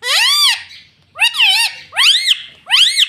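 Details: Pet ringneck parrot that talks, saying "mummy": four loud, nasal, arching harmonic syllables in quick succession, with a short gap after the first.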